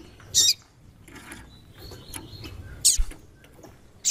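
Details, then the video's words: A female white-throated seedeater calls to stimulate a male, giving three loud, abrupt, very high chips roughly one to two seconds apart, with soft rustling and faint knocks underneath. "Piado de Fêmea de Coleiro e chamando muito"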